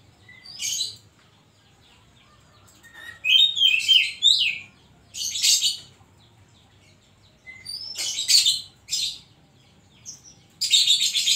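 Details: Oriental magpie-robin (kacer) in energetic gacor song, isian koslet style: rapid phrases alternating harsh, raspy high bursts with clear rising and falling whistled notes, separated by short silences, ending in a loud grating burst.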